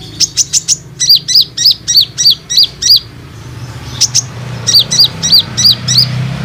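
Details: Olive-backed sunbird lure call, used to make young and group-kept sunbirds respond and start singing: quick series of sharp, high chirps, four fast notes, then a steady run of paired down-slurred notes, a pause, and more chirps.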